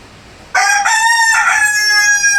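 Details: Big country rooster crowing indoors on a rainy day: after half a second of quiet, a loud harmonic crow bursts in and holds for about two seconds with brief syllable breaks, staying strong to the end.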